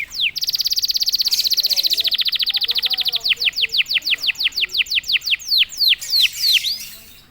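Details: Canary answering a prompt with song: a long rapid buzzy trill of closely packed notes, shifting into slower falling whistled slurs about four per second, ending with a few looping notes.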